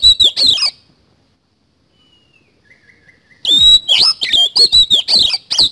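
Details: Vigorous 'isian kasan' song of an Oriental magpie-robin: a short burst of sharp whistles, faint soft twittering during a long pause, then a rapid two-second stream of high, piercing notes with rasping edges.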